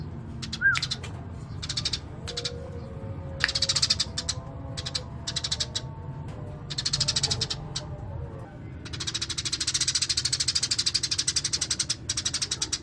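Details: Lively Eurasian tree sparrow delivering a rolling chatter: scattered harsh chirps and short bursts early, then a long continuous run of rapid, evenly repeated chirps, with faint low hum throughout.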